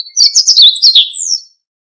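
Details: Siberian bunting phrase of quick, high sweeping chirps repeated in a tight series, finishing with a longer falling whistled note, then quiet.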